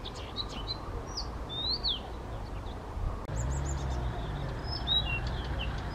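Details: Blyth's reed warbler male in spontaneous song at Bukovský pond near Těchařovice, Czech Republic, 19 June 2014, first national record; high thin whistles and falling slurred notes, loosely spaced, with low background hum.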